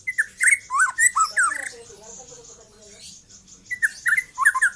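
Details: Rapid trotol song from a young white-rumped shama: a fast cluster of sharp whistled chirps, a quieter stretch of soft low notes, then another quick run of chirps.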